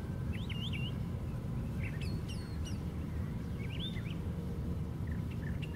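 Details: Perched at the top of a white pine tree, a brown thrasher delivers scattered quick phrases: twisting chirps, a few thin high notes, then more slurred syllables, all against a persistent deep rumbling background.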